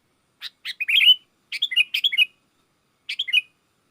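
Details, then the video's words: Sooty-headed bulbul in lively gacor song, used to call wild bulbuls that answer; short bubbly chirped phrases, each of three to five quick notes, spaced by pauses of about half a second to a second, clean quiet background. "Suara Burung kutilang gacor memanggil kutilang liar"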